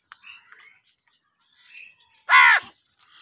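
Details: A single loud, harsh, nasal crow caw lasting about a quarter second, amid crows fighting over food, preceded by faint soft chatter and distant bird notes.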